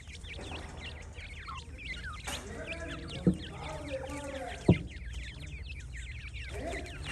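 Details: Many francolin chicks peeping: quick, high chirps tumbling over one another, broken by two sharp clicks or knocks and a lower, fuller call near the end, over a low hum.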